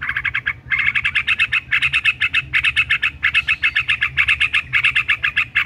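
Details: White-rumped shama song made of a fast, steady trill of sharp repeated notes, about five per second, running almost without a break, with a soft low hum beneath.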